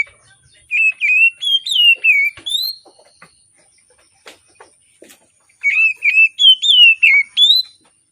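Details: Morning song of an Oriental magpie-robin for luring birds reluctant to sing. Two phrases of about seven ringing whistles each, wavering and sliding, separated by a short quiet stretch with faint clicks.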